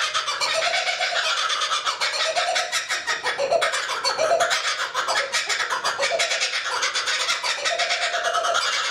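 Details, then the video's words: Two laughing kookaburras laugh together in a loud, raucous chorus of rapid, harsh cackling notes that rise and fall in waves throughout. "Kookaburra call (Two Laughing Kookaburra Laughing) SO LOUD!"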